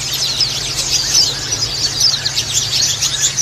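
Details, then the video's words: Many white-eyes, female and group-kept birds, call at once in a dense, high, twittering chatter of thin overlapping chirps, with a faint low hum underneath. "call pleci betina + suara pleci ombyokan"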